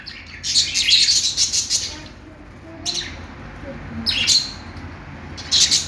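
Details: Budgerigar, described as a happy Australian parrot singing, giving bursts of high, scratchy chirping and warbling chatter: a long run over the first two seconds, then shorter bursts near three, four and five and a half seconds, with quiet gaps between.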